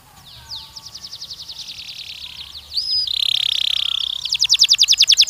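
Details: Canary song used in mating training for young males and females; rapid trills of descending notes repeated about three times a second, a sustained buzzy tone, then a fast loud trill.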